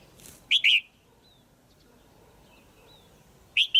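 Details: Female red-whiskered bulbul in captivity, calling to stimulate a male or for pairing: a loud two-part whistled chirp, then quiet with faint thin notes, and the next chirp starting about three seconds later.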